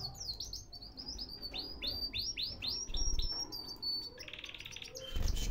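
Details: Canary singing, kept for sale in Baghdad, Iraq: a run of rapid descending whistled notes repeated several times, then a high buzzy trill, with low background rumble.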